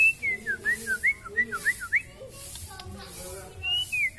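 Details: White-rumped shama from Kalimantan with an extra-long tail, in full song with borrowed filler phrases: a quick string of bright, looping whistles rising and falling, a short pause, then one high slurred whistle.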